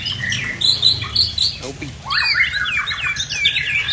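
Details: White-rumped shama from Tangse, Aceh, singing fiercely after its moult: high sharp notes, a brief voice-like break, then rapid rising and falling whistles and trills.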